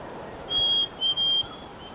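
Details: A Black-capped Chickadee near Seattle gives its clear two-note "hey sweetie" or "fee-bee" whistle, a steady high note, then a slightly lower one with a tiny break: fee-bee-ee, with faint background hiss.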